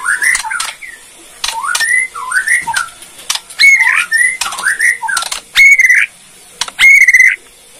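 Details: Bornean white-rumped shama delivering kretekan, a song meant to make other shamas answer at once: short curling whistles separated by brief pauses, crisp clicks, and two loud clear whistles near the end.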